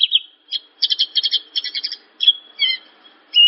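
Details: Branjangan, the Javan bush lark, singing: a short warble, then rapid stuttering clusters of high chirps, a few spaced whistled notes, and a final loud sustained note.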